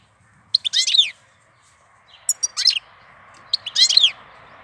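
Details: European goldfinch singing in April: three short bursts of bright, tinkling twitters with quick downslurred notes, spaced by brief pauses, over a faint steady background hum.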